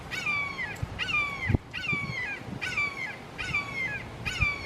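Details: Red-shouldered Hawks, a group of three in a Florida backyard, screaming emphatically: six harsh, descending kee-ah calls at an even pace, with a few low thuds and rustles in the background.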